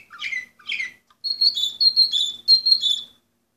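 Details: Canary of the Orpheus breed, 2014, in song: two quick descending chirps followed by clear, high whistled notes in a bouncing series; a soft low hum behind.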